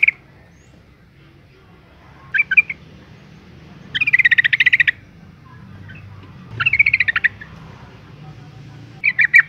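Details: Female yellow-vented bulbul calling to provoke males into singing: short bursts of rapid, bright chattering notes, the longest a buzzy rattle of about a dozen notes, separated by pauses of one to two seconds.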